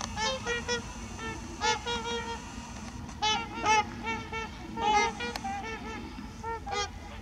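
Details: Trumpeter swans in Heber Springs, Arkansas: a flock giving many overlapping nasal honking calls, short bugle-like notes in bursts and pairs, with steady low background rumble.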